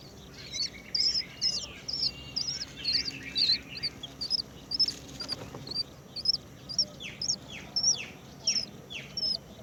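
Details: Great myna finding a cricket and feeding it to its chick; a rapid series of short, high, sharp chirps comes roughly twice a second, joined near the end by harsher downward-sweeping notes, over a steady low background hum.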